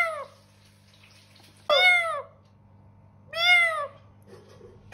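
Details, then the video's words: Talking parrot repeating a cat-like meow three times, clear harmonic falling notes spaced over a second apart, faint low background hum. "mithu #talkingparrot"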